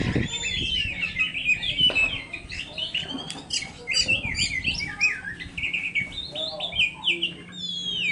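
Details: Oriental magpie-robin (kacer poci) singing a rich medley of sweeping whistles, upward and downward slurs and fast buzzy trills, with phrases tumbling into each other without pause and a low background drone.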